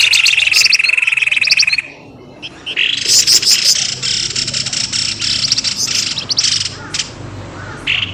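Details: Lure recording for birds, described as noisy 'pelamboyan' bird calls meant to draw birds quickly out of bushes. A fast, steady chattering trill opens, then after a short gap come dense, harsh, high chirps and rattles.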